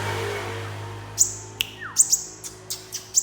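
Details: Sunbird with a handful of thin, very high chirps spaced irregularly over a steady low hum, plus one short falling note.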